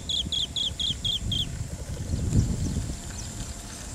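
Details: Green bee-eater, Merops orientalis, recorded in India: a run of six short, clear, trilled chirps in quick succession over the first one and a half seconds, then quiet, with low rumbling background noise throughout.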